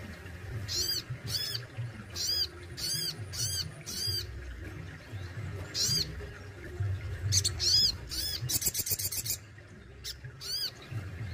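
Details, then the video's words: Crested Jay kept in captivity, singing with besetan and tembakan phrases: repeated strident, arching notes in uneven groups, a brief fast rattle near the end, and steady low hum behind. "SOGON ISTIMEWA ,BESETAN DAN TEMBAKANYA WOW BANGET"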